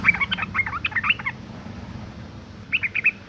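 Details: Female sooty-headed bulbul in breeding condition calling to draw males into singing: quick bursts of sharp, high chirping notes for about a second, a pause, then another short chattering run, with a low hum underneath.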